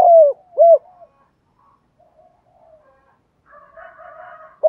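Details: Lure calling of a spotted dove meant to bring wild doves near: two strong, low, hooked coos open the clip, followed by faint murmuring notes and a soft, buzzier distant sound before a final clipped coo.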